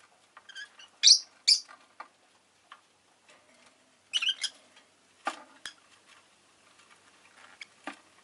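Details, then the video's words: Pet rosy-faced lovebird calling with a quick pair of sharp, raspy chirps, then a further burst of harsh notes a few seconds later, amid light clicking and tapping sounds. "Lovebird Chirping Sounds"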